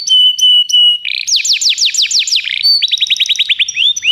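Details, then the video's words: A canary sings for training young canaries. Three steady flat whistles are followed by a burst of sweeping high notes, then a rapid even trill that fades out with a short rising slur. "O melhor canário canário para treinar seu canário"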